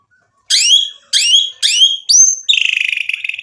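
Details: White-rumped shama lure song to rouse rival birds: three sharp downward-sweeping whistled notes spaced about half a second apart, a high rising note, then a fast buzzy rattle.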